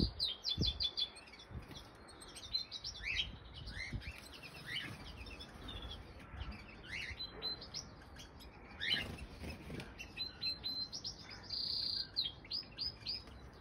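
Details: Two common crossbill chicks, hatched in April 2020 and one and three days old, being fed by their mother at the nest; sharp high chirps in bursts, with scattered thin rising notes and some low knocks and rustles.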